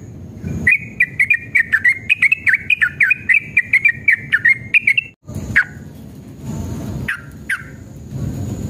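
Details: Yellow-vented bulbul in combative mood, its long rapid 'ropel' song serving as a lure to set other bulbuls singing: five seconds of tightly packed bubbly whistled notes, then a brief silence and a few scattered single notes over low rumble.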